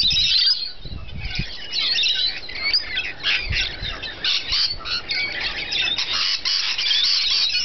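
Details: A group of rainbow lorikeets feeding: shrill, rasping squawks and high whistled squeaks overlap continuously, with a few low knocks or thumps early on.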